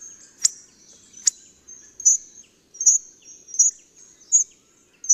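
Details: Hawfinch, a partly migratory or resident finch of temperate Eurasia, giving very high, thin, sharp tick notes repeated roughly every three-quarters of a second against near silence.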